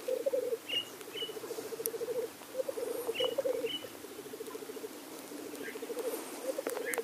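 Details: Lekking male black grouse: bursts of rippling, dove-like bubbling in repeated phrases of about a second, mixed with paired harsh hissing sneezes from several birds.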